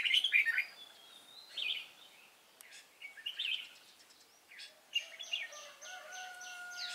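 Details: Red-whiskered bulbul of the Cánh ruồi type, praised for a fine voice, singing during trapping on 3 March 2017; short bubbly warbled phrases at the start and around three seconds, then a fast, even, rasping pulse series from another caller near the end.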